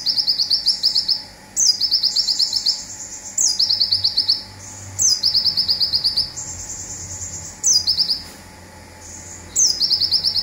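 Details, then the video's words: Local Indonesian olive-backed sunbird giving its rapid 'tembakan zipper' song, used as a training recording for songbirds: high, thin phrases, each opening with a sharp downslur, then a fast buzzy run of repeated notes, several bursts over ten seconds. "Konin Lokal Tembakan Zipper"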